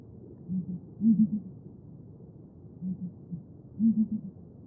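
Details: Deep, resonant booming of a Southern ground hornbill, the sacred rain bird of Xhosa lore (Bromvoël). Soft, low paired notes alternate with louder three-note booms, the pattern repeating twice.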